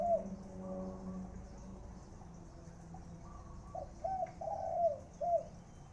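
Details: Khan yon cooing from a spotted dove decoy bird. After a faint opening coo and a low steady hum, a clear phrase of three or four hollow coos arrives near the end, with the last note swelling and bending.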